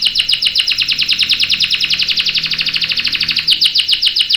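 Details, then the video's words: Canary delivering a long roll intended to prompt other canaries to sing: a dense, rapid run of sharply falling notes, very even and sustained, with a slight change of note near the end. "KENARI GACOR NGEROL panjang bagus untuk PANCINGAN dan MASTERAN biar ikut BUNYI | CANARY SINGING"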